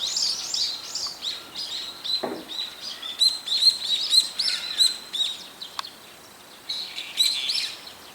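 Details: Several brown-eared bulbuls calling in the daytime, using about four call types: harsh, high, squealing calls and chattering notes in overlapping bursts, with a faint background hiss.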